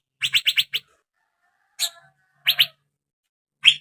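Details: Young male Asian fairy-bluebird, played to prompt another bird to sing: short, bright chirped notes in a quick run of five, then single and paired chirps after pauses, with faint low thumps beneath.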